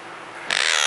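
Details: Caged monk parakeet kept indoors, one week into its new home, being taught to say "Hello": quiet room tone, then halfway through a sudden loud, grating, rasping screech that carries on steadily to the end.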